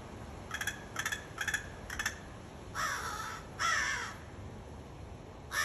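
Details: American crow (Corvus brachyrhynchos), call.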